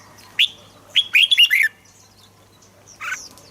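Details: Red-whiskered bulbul phrase used as playback to rouse birds: a lone whistle, then a fast run of four liquid, warbling notes, followed by silence and a brief harsher burst near the end.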